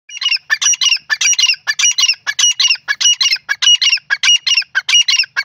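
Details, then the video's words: Grey francolin pair, described as Sindhi teetar, calling loudly: harsh, squawking notes rapidly repeated in tight bursts, roughly one and a half per second, in a steady chattering rhythm with little background noise. "new jora sindhi teetar ki beautiful awaz"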